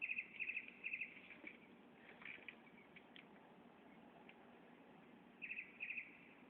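A Northern Mockingbird sings bright, chattering phrases, each repeated two or three times in quick bursts, then pauses before starting again over a soft background hiss.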